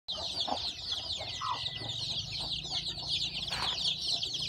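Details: Newborn chicks hatched from a hen's eggs on a farm, peeping in a dense, continuous chorus of high, rapid chirps, with a few lower hen clucks and a faint hum underneath.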